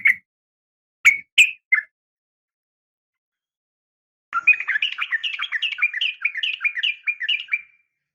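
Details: Female sooty-headed bulbul calling a male, fighting sound: four separate sharp chirps, a long silence, then a fast chattering run of bright, bubbling notes lasting about three seconds.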